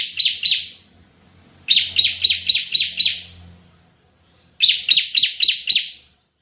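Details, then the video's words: Lively Bar-winged prinia singing in the 'tembakan' style. Three bursts of five or six rapid, rasping, chopped notes are separated by short pauses, with a faint low hum between bursts. "suara tembakan CIBLEK GACOR"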